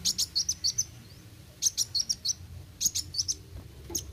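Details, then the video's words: Brown-throated Sunbird, called kolibri wuling locally, in quick 'roll tembak' song. It fires rapid series of five or six sharp high notes, each series separated by short pauses, over a faint low hum. "Kolibri Wuling Gacor Roll tembak"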